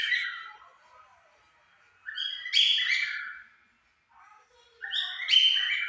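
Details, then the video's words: A pair of pet cockatiels, one white and one yellow, singing at 5 pm; two bursts of harsh, harmonic warbling phrases, separated by a quiet pause, with a fainter chirp between them. "casal de calopsitas cantando às 17hs"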